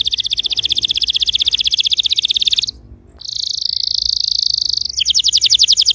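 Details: Canary song played to start a silent canary singing: steady fast high trills with a short break midway, then a buzzier tour and another rapid trill.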